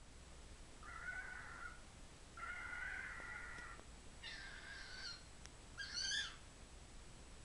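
A cockatiel screams in four harsh, grating bursts, each lasting about a second.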